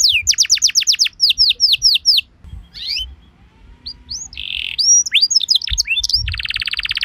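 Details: Canary trigger song used to get canaries singing back: a fast run of falling whistles, a quiet gap, then mixed chirps, a buzzy note and a closing rattle-like trill.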